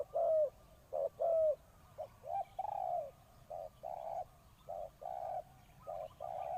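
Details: Decoy spotted dove cooing to call wild birds: a few clear paired coos with falling slurs, followed by softer, duller coos in a looser, less regular rhythm.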